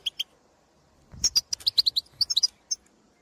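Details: European goldfinches in the field calling to their own species; two brief chirps, a pause, then a quick burst of about a dozen bright, tinkling notes and one last call.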